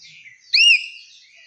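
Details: Common hill myna, a talking bird, relaxing in a garden; one loud, clear whistled note rises and then slurs downward, with fainter thin whistles before and after it.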